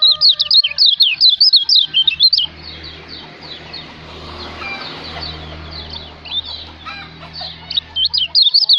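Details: Lombok white-eye, called kecial lombok, recorded as master song for songbird training; bursts of rapid high twittering open and close the passage, with a murmur of hum and background noise between them.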